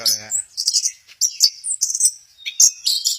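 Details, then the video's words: Orange-headed thrush at Kesamben, said to be doing the 'goyang inul': brief low tone at the start, then a jumble of high chirps, trills and sharp whistled notes in short bursts with small gaps. "Burung Anis merah, lagi goyang inul"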